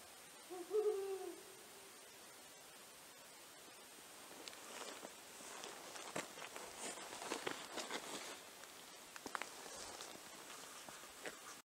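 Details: A Brown Wood Owl gives one short, low, mellow hoot near the start, followed by soft rustling and scraping noises.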